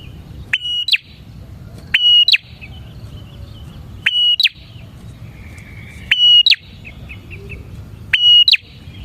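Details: Bar-winged prinia singing repeatedly, a recording meant to attract other prinias, with five loud phrases about two seconds apart, each a snap, a level high whistle and a falling flick, plus soft trilled notes between.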